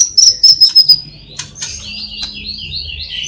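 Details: White-rumped shama from Cililin, its song filled with imitated sparrow, fighting lovebird and kapas tembak calls: five quick, very high piping notes, then softer warbling phrases.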